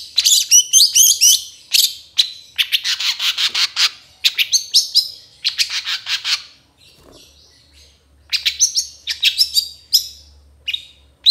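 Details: Caged-bird tutor song of a long-tailed shrike: long runs of rapid buzzy trills and chatter in several bursts, a short quiet break, then thinner high whistles and chips.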